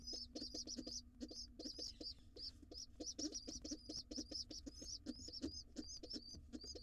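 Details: Nestling pigeon, wild, late for breakfast with its dad in a nest box; insistent high-pitched squeals tumble out rapidly in uneven runs, over rhythmic low pecking or tapping sounds.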